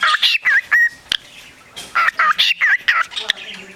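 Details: Beatboxing parakeet at a shelter on 29 March 2010: bursts of clipped chirps and bent whistled notes, a short pause near the middle, then another quick run of squeaky syllables.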